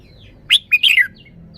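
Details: Single lively phrase from a red-whiskered bulbul noted for fine song phrasing (samnuan): a sharp note, a brief gap, then a rapid bubbling run of whistled, slurred notes.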